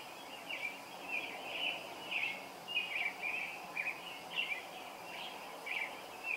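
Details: Summer dawn serenade from a robin, sung around 0430: a continuous series of quick, warbled whistled phrases repeated almost twice a second, varied in shape, against a light steady background hiss.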